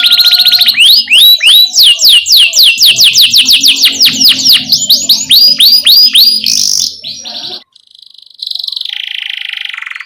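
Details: Canary singing as a master song for young canaries: loud swooping whistles and rolling chirp trills for several seconds, a short pause, then a lower buzzy phrase, over faint low steady tones.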